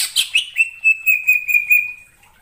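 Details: Greater green leafbird song used as a lure for trapping birds: a few rough chattering notes, then a long, level, clear whistle with slight wavering that fades out, on a clean, quiet background.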